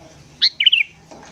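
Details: Lively morning sooty-headed bulbul, a lure sound for wild birds: one sharp note, then a quick gurgling phrase of three or four linked notes falling slightly in pitch.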